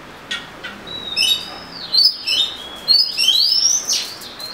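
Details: Oriental magpie-robin singing long, looping whistled phrases that rise and fall, with scratchy chips woven between the clear notes.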